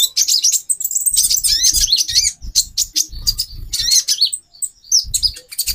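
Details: Female brown-throated sunbird calling to raise a male's mating drive: rapid, very high twittering and chirps with quick up-and-down whistled slurs, in bursts separated by short pauses, over soft low thumps.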